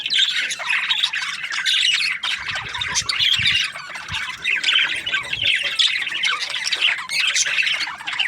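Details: Budgies chattering together, a steady mass of scratchy squawks and twittering chirps overlapping without break, with a few soft low thumps in the middle.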